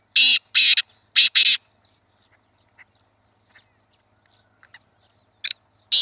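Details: Black francolin, kala teetar, recorded for hunting: three loud grating, buzzy notes in quick sequence open the clip, followed by near silence with faint ticks and two more harsh notes at the end.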